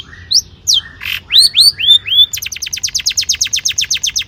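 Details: Long-tailed shrike singing actively with rich mimicked filler material, used as a lure to stir other shrikes into song: a few rising whistled slurs and sharp notes, then a fast run of high chirps about four per second, quiet background.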